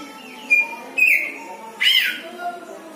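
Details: Oriental magpie-robin kept at home as a hobby songbird, giving a strange sound: three short whistled notes about half a second apart, the last a louder rising-falling slur, over faint room noise.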